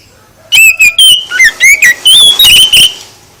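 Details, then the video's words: Oriental magpie-robin song played to make other birds respond: a dense run of rapid whistled notes, slurred up and down, lasting about two and a half seconds. "Gak Mungkin Gak NYAUT ketika KACER ditempel dengan KICAU ini"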